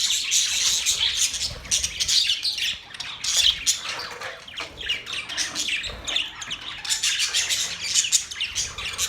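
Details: Group of budgerigars keeps up a steady warbling chatter of rapid high chirps and harsh squawky notes, with short lulls between bursts.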